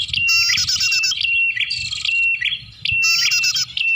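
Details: Bar-winged prinia lure call meant to draw in birds: buzzy rattling bursts alternating with a sustained thin whistle and chattering chirps, loud and nearly unbroken.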